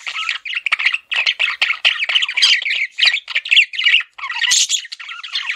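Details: Steady chatter from a male pet budgerigar: quick, buzzy chirps strung into phrases about half a second long, repeated almost without rest.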